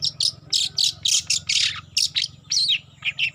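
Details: Juvenile long-tailed shrike practising its song, giving harsh, scratchy high-pitched notes in quick irregular bursts, around two per second, over a low background hum.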